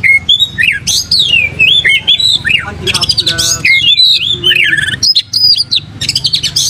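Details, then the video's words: Oriental magpie-robin singing with tail open: varied looping whistles swooping up and down, broken by a harsh rasping buzz and quick chattery trills. "pancing Kacer gacor buka ekor"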